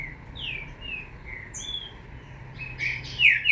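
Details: Green-winged saltator chick, offspring of two named birds: soft, slurred whistled notes falling in pitch, spaced about half a second apart, then louder, harsher chirps near the end over a faint low hum.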